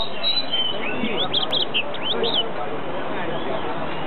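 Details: A caged yellow-fronted canary (green singing finch) at Yuen Po Street Bird Garden, Hong Kong, in cold November 2012 weather gives a quick, rising and falling run of bright chirps lasting about 1.5 seconds, over crowd murmur and a man's voice.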